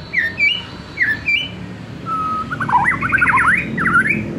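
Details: White-rumped shama, aimed at young wild-caught birds and those just past the spotted juvenile stage: a few sharp whistled slurs, then a long flat whistle breaking into a rapid run of warbled, zigzagging notes.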